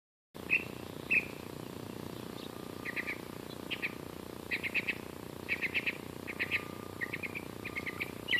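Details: Bird singing on Western Ave in Glendale, California, at 84.9°F: short chirpy phrases, first two isolated notes, then clusters of quick twittering notes that grow denser and louder toward the end, over a steady low hum.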